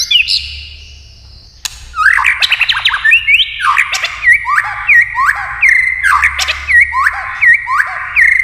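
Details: White-rumped shama in many-voiced competition singing: a high thin note, a snap, then a rhythmic string of upswept whistled notes repeated about every half second.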